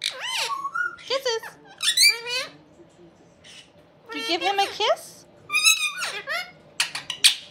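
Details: Busy chatter from two indoor Indian ringneck parakeet brothers, bursts of wavering, rising and falling squawks in clustered runs with short quiet gaps between them.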